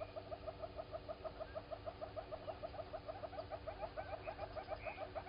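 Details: At Gowrie dam waterhole, Djuma Game Reserve, Sabi Sand, South Africa, at 07:53 on 16 September 2020, a southern red-billed hornbill walking around gives a steady run of hollow mid-pitched clucks, about three per second, over low hum with a brief higher bird note.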